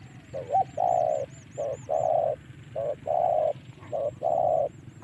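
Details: Spotted dove lure call used to draw wild doves into fighting: low cooing phrases, each a short note then a longer drawn-out coo, repeated about once a second, over a faint low hum.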